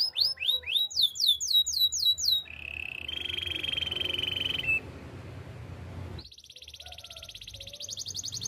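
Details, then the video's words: Training song of a Spanish timbrado canary, opening with quick repeated upward-sweeping notes, then a long steady trill held for about two seconds, a pause, and a rapid high rattle to the end over soft background hum. "Canary singing for training - Spanish timbrado song"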